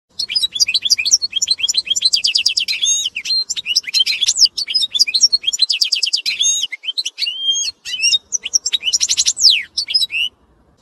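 A goldfinch x canary hybrid sings a fast, continuous song of tinkling twitters, buzzy trills and sharp rising whistles, high-pitched and unbroken for about ten seconds.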